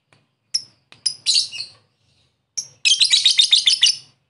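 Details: Lovebird calling a rival, a ngekek lure: a few thin high chirps followed by short bursts of harsh, quickly repeated chattering notes, with brief silence between the two bursts.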